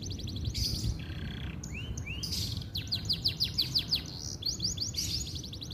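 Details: Canary song from Indonesia aimed at restarting quiet birds: a few rising whistles and then a quick rattling sequence of repeated notes, heard through a noisy low-frequency background.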